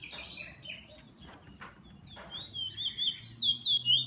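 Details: Kept bullfinch: faint soft chirps for the first half, then a clear pure whistle that wavers up and down in quick repeated loops, growing louder toward the end; low background hum.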